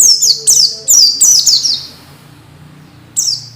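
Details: Orange-headed thrush (peleci) masteran sound for training untrained birds to sing readily: a rapid run of five high, sharply falling whistles, then a pause of over a second and one more falling note, over low steady background hum.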